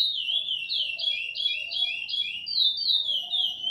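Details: Short burst of chestnut-bellied seed finch song in the Ana Dias style: pure, ringing whistled notes in quick succession, looping up and down in pitch, steady and unbroken.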